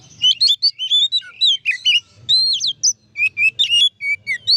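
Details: Oriental magpie-robin in ngeplong song, played to make other magpie-robins emotional and sing persistently. Dense, varied phrases of high whistles, quick chirps and looping slurs run almost without pause, with a faint low hum beneath.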